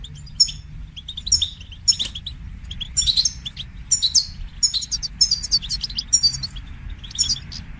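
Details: Goldfinch song training, with continuous bubbling twitter of high, sharp chirps and fluid trills over steady low background rumble.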